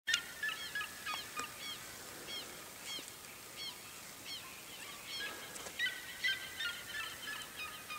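Red-legged seriema giving loud, shrill yelping notes, about three per second, each note sharply up-and-down, with a steady high hiss behind.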